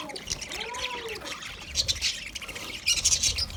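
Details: Eating budgies chatter in high, buzzy chirps, with a couple of lower curved whistled tones early on and a louder chirping burst near the end.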